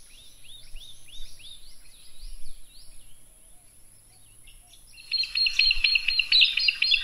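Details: Comb-crested jacana, also called Jesus bird, with newly hatched chicks at Fogg Dam near Darwin, Northern Territory, Australia. A run of quick, high, arched chirps repeats about twice a second for three seconds. A steady buzzing chorus, possibly insects, then rises and fills the end.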